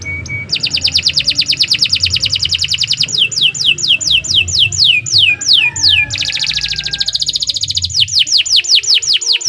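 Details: Canary sings continuously: a fast regular trill, then a string of clear notes each sliding sharply downward, then another dense rapid trill with more falling whistles, low hum behind.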